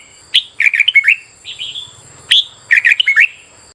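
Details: Short run of red-whiskered bulbul competitive song for morning training: two crisp phrases of rapid bubbly chirps joined by a softer slurred note, with a faint low rumble and a steady high whine.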